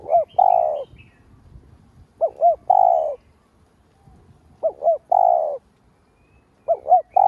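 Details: Lure cooing of a spotted dove (cu đất), used to stimulate other doves: about four phrases, each two short rising-falling hoots and a drawn-out buzzy coo, repeated roughly every two and a half seconds, with a clean background.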